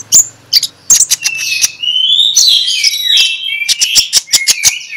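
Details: Magpie-robin ngeplong song in the morning, meant to draw other magpie-robins into singing: scattered sharp clicks, then a run of rich, slurred whistles that rise and fall, ending with quick ticking notes.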